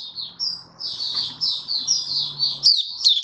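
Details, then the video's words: White-eye with a flowing run of high, slurred warbling notes, a faint low hum beneath and a sharp click near the end. "Mata Puteh Raja Stablizing his form buka sing"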